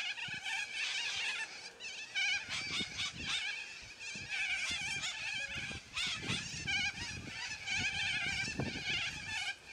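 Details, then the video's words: Noisy yellow-crested cockatoos calling as a flock, with many harsh, rasping squawks piling over one another throughout and repeated low thuds and rumbles beneath. "Noisy Yellow Crested Cockatoos Take Over!"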